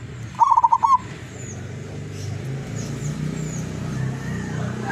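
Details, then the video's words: Local wild zebra dove from Tuban, East Java, Indonesia, kept as a decoy bird and singing keenly with a long, sweet voice: a single quick burbling coo phrase of rapid rolling notes, then low background rumble. "Perkutut Lurah gacor doorrrr lokal alam Tuban"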